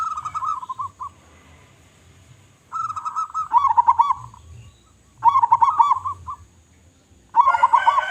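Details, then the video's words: Local zebra dove, an eager singer with a strong voice: rolling trilled coos come in four bouts, with loud bubbling notes inside each bout and quiet gaps between them. "Perkutut Lokal Gacor Suara Besar"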